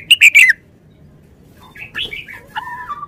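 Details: A red-whiskered bulbul kept in a cage gives one quick loud phrase of bright whistled notes, followed by softer chattering and a thin, level whistled tone fading out.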